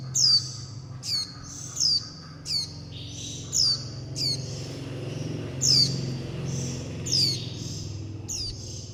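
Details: Fledgling warbling white-eyes beg for food and call to mother and flock, a recording used to lure wild birds. Around a dozen thin, high, down-slurred notes come at uneven intervals, some with faint buzzy tails, over a soft low hum.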